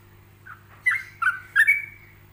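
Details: Yellow-vented bulbul in a relaxed, pausing ropelan song used to teach other bulbuls. A faint opening note, then three clear whistled phrases, the last drawn out and level, over a constant low electrical hum.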